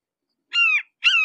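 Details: Red-shouldered hawk, approached at close range, gives two harsh, slurred calls, each dropping in pitch at the end, the second shorter and sharper, against a silent background.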